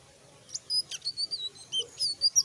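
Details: Selendang biru starting to sing loudly: a quick series of thin, high whistles and slurred chirps, each note brief and wavering, coming faster toward the end over a low steady hum.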